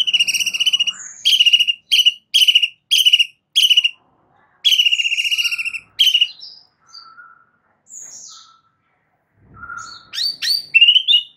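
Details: White-rumped shama singing on a masteran track meant to cure stress and bring on eager singing: six loud ringing notes repeated about every half second, a longer rattled note, then soft low whistles and rising, sweeping phrases.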